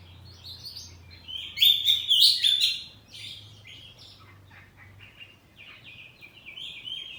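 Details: Kacer poci, a house-kept oriental magpie-robin, singing ngeplong with saut-sautan exchanges: an intense burst of rapid, sharp, chattering and whistled notes, then quieter quick varied phrases continuing to the end.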